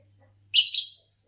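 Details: Green Fischer's lovebird, green color form: a single short, harsh, high-pitched chirp after a brief pause, with a faint low hum before it.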